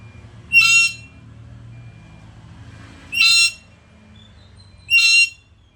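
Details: Chatty black-capped lory repeating loud, rasping screeches, three short harsh bursts spaced roughly two seconds apart, with a low droning hum between calls.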